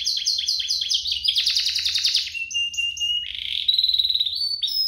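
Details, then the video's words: Two domestic canaries singing as a prompt for other canaries; rapid repeated chirps lead into a buzzy rattling roll, followed by a flat sustained whistle and a high twittering trill. "Kompilasi DUO GACOR, cocok untuk pancingan kenari biar gacor, masteran kenari paud"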